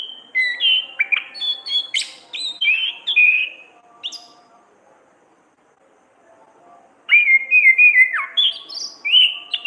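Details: Orange-headed thrush, kept as a caged songbird, singing a varied lively song meant for training: a run of mixed whistles and sharp notes, a pause of about three seconds, then another burst of fast slurred phrases.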